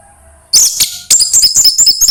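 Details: Orange-headed thrush song meant to spur a quiet bird to sing: sharp high chirps open, then a fast, dense run of bright whistled and twittering notes repeated without a break.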